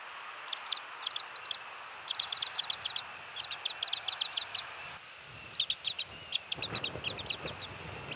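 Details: Bald eagle nest cam on Captiva/Sanibel Island, Florida, early morning 27 December 2020, adults switching places and feeding fish to two-week-old eaglets; high, thin chirps come in rapid stuttering runs of four to six notes, repeated throughout, over constant hiss.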